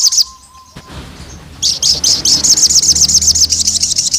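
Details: Olive-backed tailorbird, a female calling the male to provoke rival males: a brief high note, a steady faint tone, then a long rapid series of shrill, evenly pulsed high notes over low background hum.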